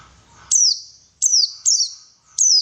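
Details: White-eye bait sound to trigger singing: four loud, thin, high notes, each dropping in pitch, spaced roughly half a second apart after a soft murmuring start.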